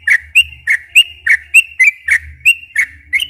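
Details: Sooty-headed bulbul in 'gacor ropel panjang' style, a lure to draw silent captive birds into singing. Clear whistled notes alternate low and high, about three every second, over a faint low hum.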